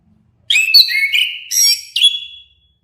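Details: A two-second phrase from an orange-headed thrush, mixing sweet whistles with buzzy, slurred notes and ending in a bright sliding whistle.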